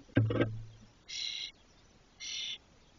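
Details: Spotless starling nestlings, 21–22 days old and fully feathered, inside a nest box in Doñana National Park, Spain, exploring its upper space; after a few thumps, two buzzy, harsh, evenly pitched calls follow about a second apart.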